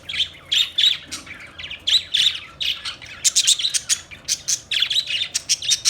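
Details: Australian parrots, budgies, chirping in rapid buzzy warbles and sharp squawks, bursts every fraction of a second, becoming choppier and higher toward the end.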